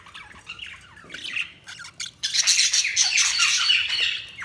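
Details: Budgerigars chirping: scattered soft warbles at first, then a loud, dense burst of overlapping, scratchy chatter and squawky notes from several birds.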